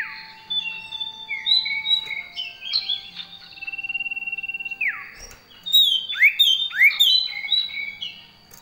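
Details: Common iora with varied gacor song and fill-in phrases: stepped whistles, a rapid even pulsed trill, a long falling slur, then lively swooping and chirping notes.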